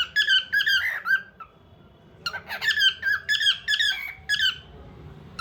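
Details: Squeaky warbling from a bird in a small room: a burst of clipped, bending whistles, a pause of about a second, then another lively run of chattering whistled notes.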